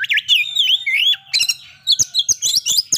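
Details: White-rumped shama singing to provoke breeding condition and aggression: rising and falling whistled phrases at first, then a pause and a rapid series of sharp chirps and clicks.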